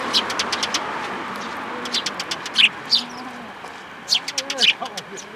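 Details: Sparrows including a newcomer fledgling at a plum-tree feeder, Tenmangu shrine, 21 June 2022; scattered high chirps over lower murmuring sounds and faint traffic-like rumble.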